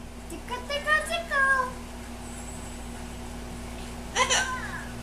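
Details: Hollywood, a pet green-winged macaw, talks in short, speech-like phrases, telling the dogs to "zip it": a quick run of syllables, then a brief two-note word after a pause, over a steady electrical hum.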